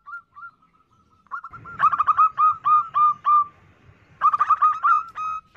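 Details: Female zebra dove calling, used as a lure to draw in males: rapid strings of short staccato coos, some soft single notes first, then two loud fast bursts of repeated clipped notes.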